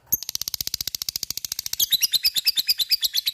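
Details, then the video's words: Lovebird in ngekek singing style, meant to provoke other lovebirds into joining in: a fast, unbroken rattling chatter of high, sharp chirps, about fifteen notes a second, growing louder and shriller halfway through. "LOVE BIRD akan trpancing untuk ikut ngekek fighter dan gacor"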